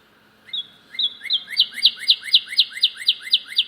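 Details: Cardinal making a loud sound while another cardinal visits a bird feeder: a thin whistled opening, then a steady string of about twelve bright slurred whistles, four per second, over a faint hum.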